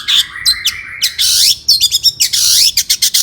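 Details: Worked-up long-tailed shrike, sound intended to provoke other shrikes: dense scratchy, buzzing phrases with swooping notes and short harsh bursts, delivered almost without pause.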